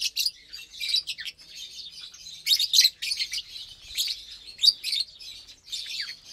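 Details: Captive lovebirds eating their morning vegetables and seeds in April 2022 give a steady stream of high, squeaky chirps, with louder bursts about every second or two, in irregular rhythm.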